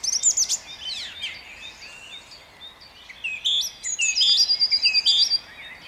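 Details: Song thrush singing at dawn in Jabłonna on 29 April 2021: bright, high whistled and chirping phrases, with a run of short notes repeated several times in quick succession near the end, and a quiet rural background.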